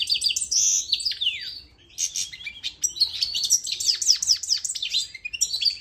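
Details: Tutoring song from a goldfinch mule for young birds to learn: bright twittered phrases with downslurred notes, a short break, then a lively run of rapid descending chirps and warbles.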